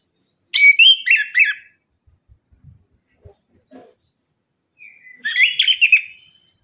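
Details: Energetic orange-headed thrush lure song: two bursts of harsh, rapid chattering notes separated by a near-silent gap with faint clicks, the second burst ending in a higher whistle.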